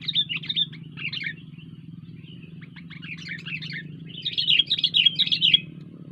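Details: Sooty-headed bulbul singing vigorously (gacor): bursts of bright, bubbly chattering phrases, with a loud run near the start and a fuller, richer burst near the end, over a steady low hum.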